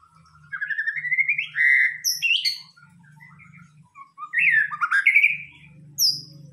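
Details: White-rumped shama giving a pancingan (trigger) song: rich, fluty whistled phrases that slide upward, broken by sharp, high, clipped notes, with short pauses between bursts and a steady low hum underneath.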